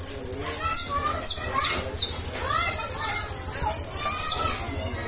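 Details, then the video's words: Sunbird sings very high, thin, rapid trills broken by sharp squeaky notes, pouring out almost without pause; a faint human voice is heard briefly. "Konin gacor ngentir. Kolibri ninja gacor."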